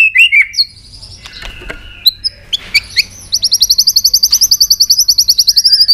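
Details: Tail-flicking white-rumped shama singing with great excitement: scattered high whistles and chips, then a fast, even trill of very high notes running for over two seconds.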